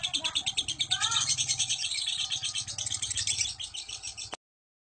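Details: Fighter lovebird giving ngekek, a long chatter played to stir other lovebirds into song; a fast, high, rattling trill pulses steadily, with a brief lower squeaky phrase near the start, then stops abruptly.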